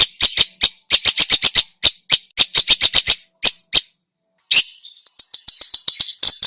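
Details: Long-tailed shrike singing vigorously, a lure recording packed with imitated phrases: bursts of harsh, scratchy chattering notes in quick uneven series, a brief pause, then a run of thinner, higher clipped notes.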